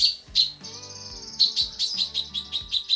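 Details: A female cucak kinoi calls to the male in a tutor recording. Two high chirps come first, then a pause filled with background music, then a quick string of short, sharp chirps.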